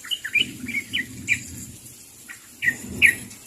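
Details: Sooty-headed bulbul calling to others, giving short bubbly chirped notes in small clusters, then a pause and two louder closing notes.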